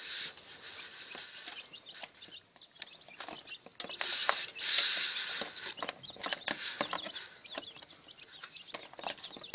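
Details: Newly hatched quail chicks from a first brood, kept in a warming incubator, give rapid, high, thin peeps that overlap in a continuous chatter. A louder burst comes near the middle, with steady background hiss throughout.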